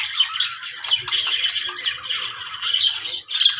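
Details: Contented pet budgerigar producing a bubbly, continuous chatter of grating squawks and quick chirps, with short clicking sounds scattered through and a brighter squeak near the end.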